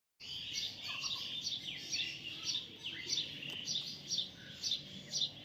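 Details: Baby parrot giving sharp, high chirps in quick uneven series, about two per second, with soft background noise.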